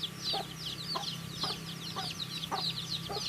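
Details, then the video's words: Baby chicks eating, high, hurried peeping from several birds with a few pecking taps about every half second, over a noticeable low droning hum. "Cute Baby Chicks Chirping Sounds"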